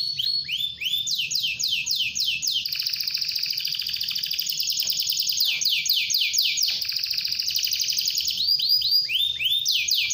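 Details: Canary in constant full song, played to prompt other canaries to sing: fast, bright trills and rapid repeated rising chirps, running almost without pause, some rolls sustained for several seconds, with faint low background hum.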